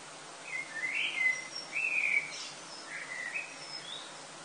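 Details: Before summer sunrise in Lille, France, in early August, a common blackbird delivers mellow whistled phrases that rise and fall, with faint high twitters in between, over constant low hiss.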